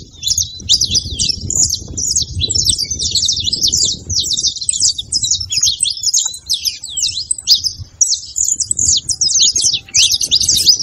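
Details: Played to spur a cold canary into singing, saffron finch song pours out as continuous high twittering of fast chirps and slurred notes, with a brief pause near the middle and a low hum beneath.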